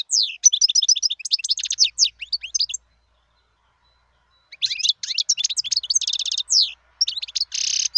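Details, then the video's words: A wild European goldfinch delivers two extended bursts of rapid, bell-like twittering and buzzy trills, with a quiet gap of about two seconds between them. "صوت الحسون البري"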